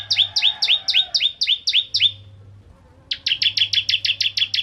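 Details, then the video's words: Actively singing crystal-variety bar-winged prinia, used as a lure for other prinias: about nine rapid two-part slurred notes, a brief pause, then some ten sharp, evenly repeated chirps. "Burung Ciblek Kristal Gacor Untuk Pancingan Burung Ciblek Semi Ciblek Gunung Dan Ciblek Kristal"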